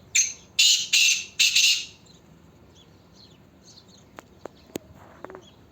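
Black francolin giving four loud, harsh, grating notes in quick succession over about two seconds, followed by quiet with a few faint clicks.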